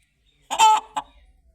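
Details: Chicken giving a single loud, harsh squawk with a rich buzzy tone, followed by one shorter clipped cluck, then quiet.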